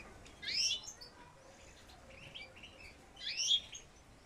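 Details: Young European goldfinches, captive-bred for 2020, giving two bright, liquid twittering bursts about three seconds apart, with softer tinkling notes between them.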